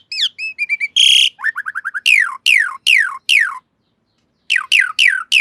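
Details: Training master song of an Asian pied starling: short curved whistles, a harsh buzzy burst, a quick series of low chirps, then loud downward-sweeping whistles repeated about every half second.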